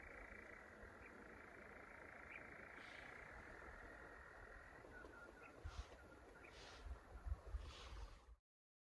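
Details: In Llanwonno Forest during 2022, European nightjars give a long level churring trill, a sustained dry whirr over steady low rumbling background noise, with a few soft thuds and brief bursts toward the end.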